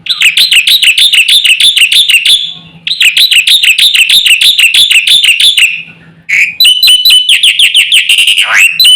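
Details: Black-winged myna in energetic full song meant to stir other mynas into calling: two long bursts of rapid ringing whistled notes, each about two and a half seconds, then a run of clear whistles with a falling slur.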